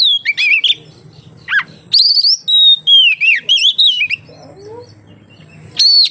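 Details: Oriental magpie-robin in full song, played to lure other magpie-robins into singing: sweet whistled phrases, rising and falling slurs and sharp upslurred notes in bursts with short pauses, over a low steady hum.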